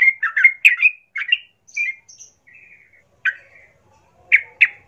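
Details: Sooty-headed bulbul singing a vigorous lure song meant to provoke other bulbuls into answering and fighting: bubbly, chattering whistled phrases in quick bursts, then a short buzzy trill and a few sharp isolated notes, with gaps of silence between.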